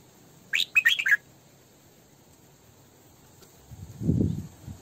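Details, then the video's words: Female Red-whiskered bulbul decoy in sổ bọng căng song, used to train and lure bulbuls: one quick phrase of bright, tumbling notes, then a dull low thump against faint background hiss. "Tiếng Chim Chào Mào Mồi Hót Sổ Bọng Căng"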